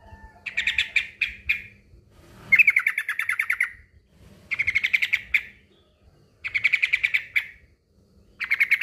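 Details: Male sooty-headed bulbul calling to a rival. It gives repeated bursts of fast, liquid chattering notes, each burst about one second long, at roughly two-second intervals. A low hum runs underneath.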